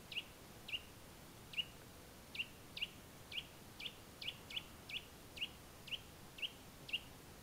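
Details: A Eurasian nuthatch (Sitta europaea) in the Tiétar Valley, Spain, gives a series of short, clear, high piping notes, about two a second, slightly unevenly spaced over a quiet background.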